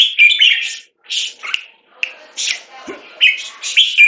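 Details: Red-whiskered bulbul kept in a cage in Singapore, molting, gives choppy bursts of loud chirpy whistles. Short silences break up the phrases.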